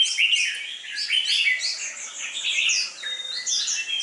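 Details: Competition-trained red-whiskered bulbul with a fierce fighting temperament, giving rapid bright chirping phrases in steady overlapping bursts, some notes rising and others falling, with no other clear sounds.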